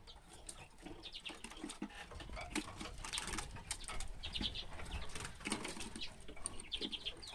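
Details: Common redpoll recorded in 2016 giving short, high, dry chips in quick clusters of three or four, over steady rustling noise and low rumble, possibly wing flutters.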